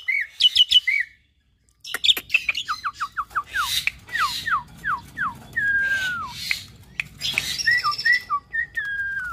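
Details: Nias hill myna crossed with Asian pied starling, a caged training bird, gives a chattering opening, a pause, then a descending run of short whistled slurs, a longer falling whistle and scattered squeaks.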